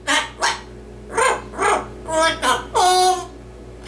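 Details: Captive male yellow-naped amazon parrot imitating human words while reciting a Dr. Seuss book; about seven rapid throaty syllables end in a longer, clear sung note, with faint room hum behind.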